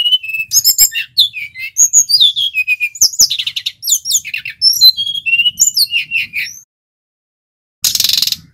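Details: Vigorous rolling song of a male brown-chested jungle flycatcher from Bali, meant to lure and tutor birds: rich medley of sweet whistles, trills and chirps for over six seconds, silence, then a short broadband noise burst.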